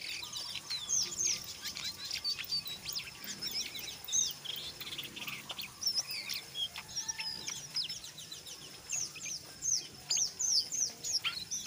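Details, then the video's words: Lively ngeriwik chatter of a brown jongkangan, mixed with ngeplong, played so untrained jongkangan join in: steady, dense, high-pitched twittering with rapid chirps, short trills and occasional sharp whistled notes throughout. "SUARA BURUNG JONGKANGAN COKLAT NGERIWIK GACOR"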